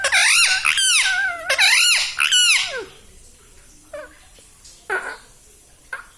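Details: Pet parrot at home, said to talk, repeating "mummy papa" and "mithu". Three loud, harsh, sweeping vocal bursts fill the first three seconds, then a few faint short notes follow in a quiet indoor room.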